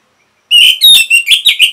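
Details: A short, loud phrase of slurred whistles from an orange-headed thrush, a recording used to stimulate caged birds to sing, with notes rising and falling in quick succession.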